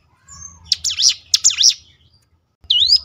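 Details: Bar-winged Prinia lure song for getting another bird to reply: two bright, rapid phrases of high up-and-down notes, then a pause and one high rising whistled note at the end.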